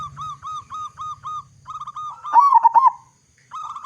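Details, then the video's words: Local zebra dove singing loudly, used as a lure to get other doves calling: a fast series of even, mellow cooing notes, then a louder rolling trill, pausing before the cooing resumes, with a low throbbing hum beneath. "Perkutut Lokal Gacor Suara Besar Cocok Untuk Pancingan Semua Jenis Burung Perkutut Agar Cepat Bunyi"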